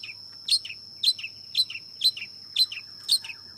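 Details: A long-tailed shrike repeats a two-part chirp, a loud harsh note dropping into a lower tail, about twice per second in a steady rhythm, with a steady high whine.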